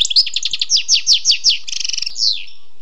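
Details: Wild European goldfinch song: a rapid run of bright, tinkling chirps, then a buzzy rattling trill and a final downslurred note, all high and clear.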